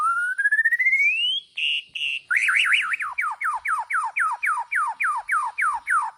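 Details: White-rumped shama from Borneo, gaya sujud style, opens with a long smoothly rising whistle and two steady tones, then a trill and a long series of sharp downslurred notes repeated several times a second.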